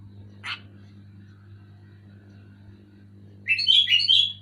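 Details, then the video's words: Sooty-headed bulbul singing loudly, used to get quiet bulbuls singing; a faint single note, then after three seconds a rich run of rapid bubbling whistled notes, over a constant low hum. "Suara burung kutilang gacor keras jelas bikin kutilang omyokan macet malas bunyi auto bunyi gacor"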